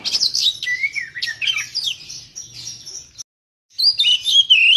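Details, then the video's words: A long-tailed shrike (cendet) sings a fast, varied jumble of scratchy chatters and high slurred whistles, pauses briefly, then resumes with bright rising and falling notes. "masteran pancingan cendet"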